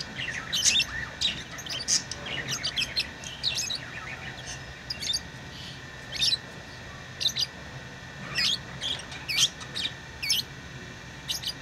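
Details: Lovebirds kept as pets call in quick, piercing chirps, short clicks and squeaks spaced unevenly across several seconds, with a low steady hum behind.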